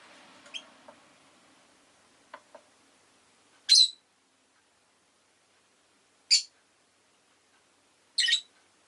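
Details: Rosy-faced lovebird, with faint street noise at the start, then three loud, harsh chirps spaced two to three seconds apart.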